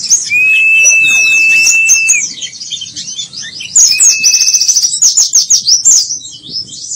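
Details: White-eye pouring out a fast, very high, jumbled twittering song of thin chirps and slurred notes, interrupted by a couple of long, even, piping whistles held for one to two seconds.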